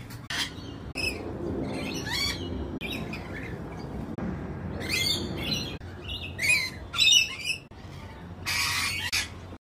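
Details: Lorikeet downstairs indoors giving harsh, screechy squawks in short bursts, mostly high-pitched, with some quieter chattering between and a low indoor hum beneath.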